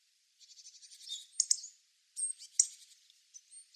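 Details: Wild Hawfinch giving high, thin calls: a rapid buzzy series of ticking notes speeding up over about a second, a pause, then a sharp burst of clipped notes followed by a few scattered high chips.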